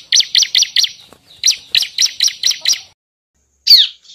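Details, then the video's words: Bar-winged prinia song for luring birds and tutoring songbirds: a quick even series of about eleven sharp high ticks, a pause, then one downslurred squeaky note. "suara ciblek, untuk pancingan burung bahan dan cocok untuk pikat serta untuk masteran burung kicau."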